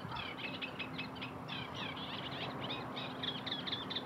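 Eurasian tree sparrows chirp in a busy, overlapping chatter of short sharp notes, several birds calling at once over a steady low hum.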